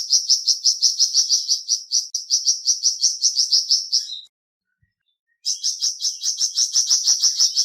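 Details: Flamboyan bird song: a fast, even trill of high buzzy notes, about three per second, running for four seconds, a second of silence, then the trill resumes.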